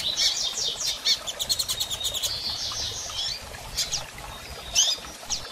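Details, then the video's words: Soliciting mating, a female double-collared seedeater gives dense trains of high, clipped chirps that run together in the first half. Scattered single sharp notes follow. "Fêmea de Coleiro Piando e Fogosa e Pedindo Gala!!"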